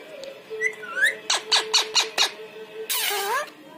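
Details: Talking parrot imitating human voices: a few soft rising whistles, then five rapid harsh bursts in a row, ending in a long loud rasping screech with a sliding tone underneath, in a small indoor space.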